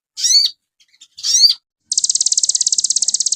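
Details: Crested jay used as master material for songbird training: two harsh, buzzy, descending notes, then a rapid high rattle of evenly spaced ticks running to the end.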